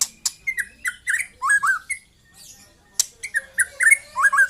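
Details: Song of a young white-rumped shama: quick strings of bent, whistled notes, some sliding downward, broken by a short pause and a loud click, then a fresh run of clear notes.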